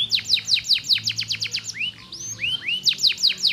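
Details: Domestic canary singing, played to stir lazy canaries into song: fast runs of bright descending sweeps repeated several times per second, broken midway by a few slower rising-then-falling whistled slurs before the rapid sweeps resume.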